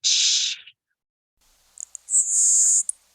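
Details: LeConte's Sparrow, a secretive sparrow of moist-soil grassy wetland margins best heard at night or near sunrise: a very high, thin buzz, then a few faint ticks and a longer, hissing, insect-like buzz lasting almost a second.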